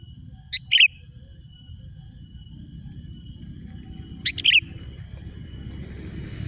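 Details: Sooty-headed bulbul calling rivals: two short phrases of a sharp note and a bright slurred whistle, about three and a half seconds apart, over a growing low rumble and steady high hum.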